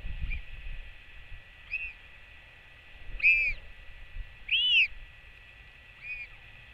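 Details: A royal albatross chick greets its returning mother with a skycall on a nest cam, 8 June 2024: five arched, whistled cries at uneven intervals, soft at first, then two loud ones and a fading last note, with light wind.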